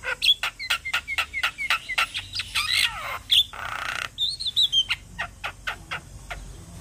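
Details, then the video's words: Black-winged starling, a caged songbird, in lively full song: rapid runs of sharp chirps and clicks, harsh rasping squawks around the middle, then a high whistled phrase followed by more quick repeated chirps. "Jalak Kebo gacor manggut Manggut Bikin Semangat Jalak Kebo macet Bunyi"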